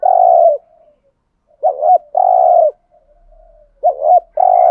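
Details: Decoy spotted dove cooing in the style used to lure wild doves: low hollow phrases, each a quick wavering two-part note followed by a long even hoot, repeated about every two seconds.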